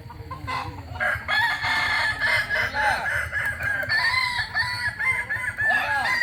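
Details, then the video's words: Dense crowing series from a Kokok Balenggek chicken of Solok, West Sumatra: many quick, arched staccato syllables chained together, loud and rhythmic, with a steady low hum underneath. "Ayam kukuak balenggek asli solok sumbar"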